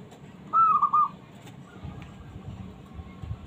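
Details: Small zebra dove with a fighter temperament, calling to provoke other reluctant doves into answering; one clear phrase of mellow, whistled cooing notes with a brief rolling ending, followed by quiet low background rumble.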